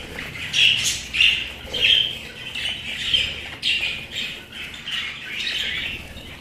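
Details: Pet budgerigar chattering, a busy stream of bright, scratchy chirps and warbles in quick succession, several notes each second, with slight rises and falls in pitch.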